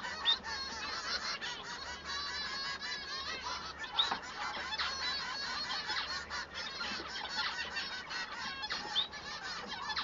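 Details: Male Bengalese finch song: rapid, unbroken chatter of harsh harmonic notes and short buzzes, with brief louder accents at the start and middle.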